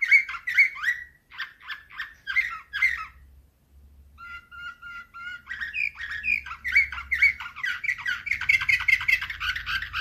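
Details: Canary performing Slavujar song, 2024, in choppy phrases: short chirped bursts, a level whistled note repeated several times, then a long fast rolling trill; low electrical hum in the background.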